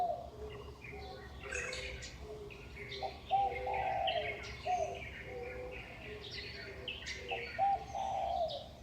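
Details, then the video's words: Early morning at 5:25 am in a Taipei neighbourhood, Huanan New Village, Taiwan, May 2019, birds on electricity poles: busy high chirping and twittering over occasional low cooing notes, with a steady faint background hum. "化南新村 鳥叫起床"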